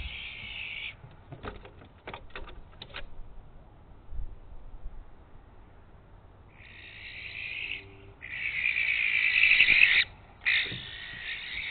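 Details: Barn owls, probably two males chasing each other over a nest box before the 2019 nesting season: long, harsh, hissing screeches of up to two seconds, with sharp clicks and scuffling noises early on.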